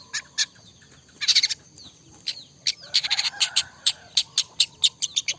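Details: Long-tailed shrike singing energetically in 'trotol' style, a fast stream of sharp high chirps and clicks that turns into a steady rapid series of evenly spaced ticking notes toward the end.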